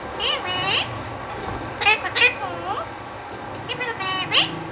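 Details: Indian ringneck parakeet talking in a string of high, squeaky, speech-like syllables, some swooping up and down, with brief gaps between phrases.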